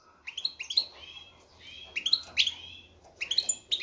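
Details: Courting male European goldfinch: clusters of quick, sweet chirping notes in short repeated phrases over a soft background hum.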